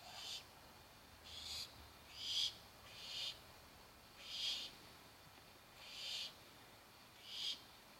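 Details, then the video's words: Young barn owls hungry for dinner produce evenly spaced, drawn-out wheezy hisses, about seven across the stretch, with quiet gaps between them. "Baby Barn Owls"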